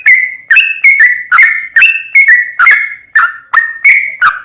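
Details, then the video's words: Long rapid 'ropel panjang' song of a sooty-headed bulbul, played to excite another bird into singing. It is a steady string of loud, sharp-edged whistled notes with small pitch steps, some doubled. "SUARA TRucukan Gacor ROPEL PANJANG PAncingan TRucukan Agar BUnyi"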